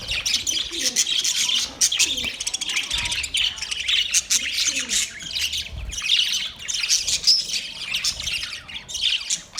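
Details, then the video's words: Budgies chirping in a continuous, busy stream of high squawks and twittering chatter, loud and unbroken for the whole stretch, with a couple of faint low knocks. "Relaxing Parrot birds singing | Budgies chirping sounds"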